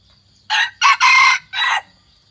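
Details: A one-year-old white-earlobed hybrid red junglefowl crows once: four rough, rich-toned bursts lasting about 1.3 seconds, the long third part dominant, faint low hum behind.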